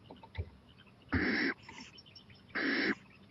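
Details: Owl at night on a porch, 23 April 2018, eyeing a playground; two loud raspy hisses about a second and a half apart after a faint tap.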